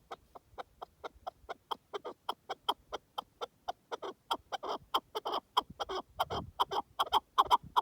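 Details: Wild partridge calling in the wilderness: a long run of short, clipped chuck notes, about two to three per second, starting soft and growing louder and denser toward the end, over a quiet background.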